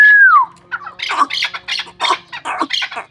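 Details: A falling whistle ends, then a Pamir hunting chukar partridge gives several loud, harsh clucking notes in quick succession.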